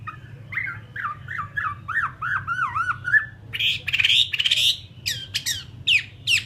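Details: Fighting-type Chinese hwamei in captivity giving a series of looping, slurred whistles, then harsher, buzzy bursts and sharp downslurred notes over a noticeable low background rumble.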